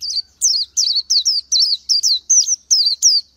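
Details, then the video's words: Oriental white-eye singing a steady string of thin, wavering, high whistled notes that dip and curl, spaced roughly a third of a second apart. "Chim hót hay Vành Khuyên họng vàng đông dương | นกแว่นตาขาวสีทอง| Oriental White-eye"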